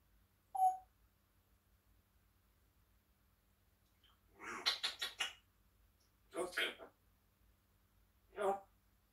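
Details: African grey parrot chatting in the morning indoors: a short bright whistle note, then after a pause three brief bursts of speech-like, raspy mumbling spaced about two seconds apart, in a quiet room.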